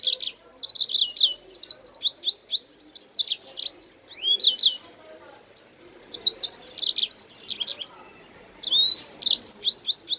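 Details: Jasmine bird singing, a recording meant to prompt other birds to sing: bright, high twittering phrases of slurred whistles and clipped notes in two long bursts, split by a quiet gap of about two seconds.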